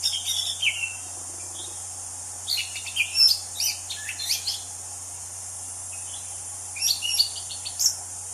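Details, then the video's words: Wild anis cendana thrush singing: short bursts of varied high chirps and slurred whistles in two clusters separated by pauses, over a steady high insect-like hiss and a low constant hum. "Kicau Anis Cendana Alam Liar"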